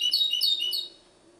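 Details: Short burst of goldfinch hybrid song from Ksar el Kebir, Morocco: three quick, high, repeated twittering notes, then fading into quiet.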